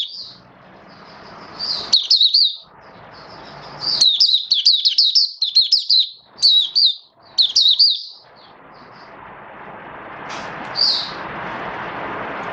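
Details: Caged oriental white-eye in build-up singing form, 19 September 2022: strings of rapid, high, sweet chattering notes in several bursts over constant broadband background noise, ending with one lone chirp amid the hiss.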